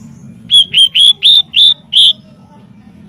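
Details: Master training audio of a white-rumped shama: six clear, evenly spaced whistled notes on a steady pitch, each slightly rising, followed by silence and a final note at the end.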